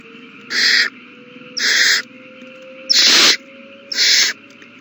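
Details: Feeding time for owl chicks, March 27, 2020: four hoarse, hissing begging screeches about a second apart, the third the loudest and harshest, over a thin steady tone and low hum.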